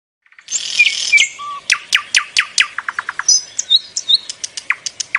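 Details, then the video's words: A bulbul sings a fast, bright run of sharp downslurred chirps, about five per second, with a harsh chattering opening and high whistled notes. "Suara burung bulbul"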